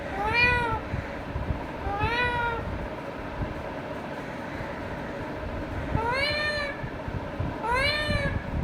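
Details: Indian ringneck parakeet, a male pet bird, talking to himself in four separate arched, drawn-out vocal phrases, two close together at the start and two after a pause, over a steady low hum.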